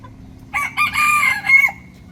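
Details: Morning crow from a rooster, a bright ringing cock-a-doodle-doo in three joined parts, rising at the start, held level, then finishing with a sharp, higher final note before fading into quiet.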